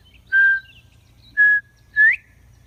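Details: Northern bobwhite whistling three clear notes: two level, steady whistles, then a final note sweeping upward, a classic bob-bob-white phrase, with a faint low background hum.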